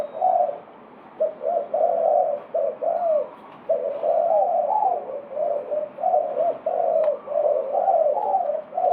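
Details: Spotted dove cooing: loud, low, rolling coos in short phrases separated by brief pauses, repeated steadily, in a quiet setting.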